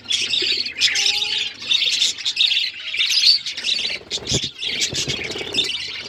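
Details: Colourful budgerigars chirping: a dense, continuous chatter of high, scratchy warbles and squawks in overlapping bursts, with brief quieter gaps and a soft low whistle early on.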